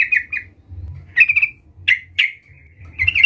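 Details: Vigorous sooty-headed bulbul (trucukan) calling a rival, used as a lure to make other bulbuls sing: brief bright chirps, a short rattling trill, then two abrupt sharp notes and closing chatter.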